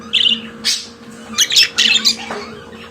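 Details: Pet budgerigar singing: a few loud, harsh squawking chirps and clicks in quick succession, over a low constant hum in a small room.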